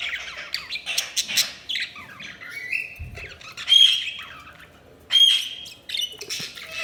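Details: Budgerigars chirping and squawking: harsh, scratchy chatter with several clear, sharp, whistled notes standing out, delivered in irregular bursts with brief quiet gaps.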